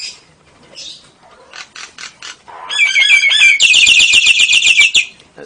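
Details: Singing Nias hill myna mimicking lovebird and canary in ngekek fashion. Scattered soft chips build into loud slurred notes, then a dense, rapid, scratchy trill holding for nearly one and a half seconds.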